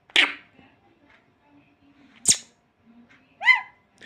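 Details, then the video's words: Eclectus parrot, startled and frightened, gives two harsh, sneeze-like bursts about two seconds apart, then a short nasal squawk that rises and falls, in a quiet room. "तोता डरने के बाद कैसे बक बोलता है"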